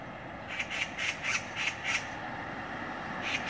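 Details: Oriental magpies, six of them, mobbing another bird on a city street. Harsh rattling chatter of about six rapid broadband notes in under two seconds, then one more note after a pause, over a low urban hum.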